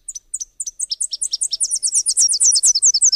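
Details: Song of a Subalpine warbler (Sylvia cantillans): spaced, high, clipped chirps that quicken into a dense, rapid, scratchy chatter, getting louder toward the end.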